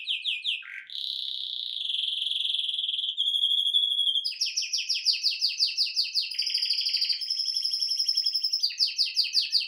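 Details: Singing male canary: a short dip into a low note, then a long smooth rolling trill, a pure steady tone, and fast buzzy repeated trills layered with high, rapid ticking notes.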